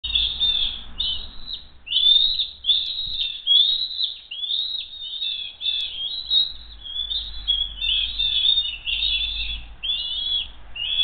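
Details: Bald eagles at the Hays nest during a food steal attempt, one eaglet trying to take food and the other keeping it after a brief scuffle; high, thin chittering whistles in rapid squeaky bursts run through almost continuously, with faint low rumble beneath.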